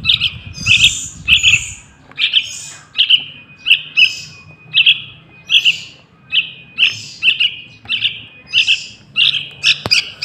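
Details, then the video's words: A young yellow-vented bulbul, used as a lure for wild birds, repeats short squeaky chirps with breathy upper overtones, opening with a muffled low rumble and ending with a faint click. "Suara Anak Burung Trucukan | Pancingan Pikatan Trucukan Liar"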